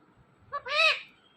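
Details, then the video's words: A pet talking ringneck parrot speaks a brief two-part word in a clear, nasal, voice-like tone, a short clipped note then a longer slurred syllable, in a quiet room. "My Talking Ringneck Parrot"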